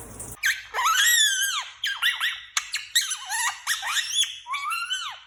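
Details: Pet Indian ringneck parakeets roaming free in a house while their owner works from home: a run of loud harmonic squawks and screeches, arching and falling in pitch, with short gaps between them, indoors.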